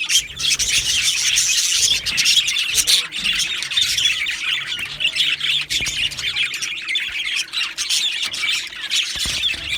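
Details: Pair of male Australian budgies giving continuous chirping: fast, grating warble packed with shrill squeaks and tweets, briefly dipping in loudness around the middle before resuming.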